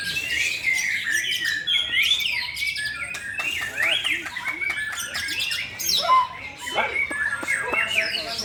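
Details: White-rumped shamas pitted against each other in a head-to-head singing match: dense, rapid streams of whistled, chattering phrases sweeping up and down, overlapping birds, with occasional people talking in the background.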